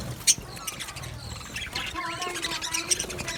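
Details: Male budgerigars recorded on 8 December 2025 give scattered squawks and short chirps over soft background noise, with a few sharp high clicks.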